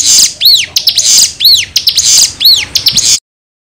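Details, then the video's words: Sooty-headed bulbul song played as a lure to make other birds answer: loud high arched whistles repeated about once a second, mixed with sharp chirps, ending abruptly in silence. "Pancingan Ciblek Gacor Dijamin bikin Ciblek Langsung Nyaut"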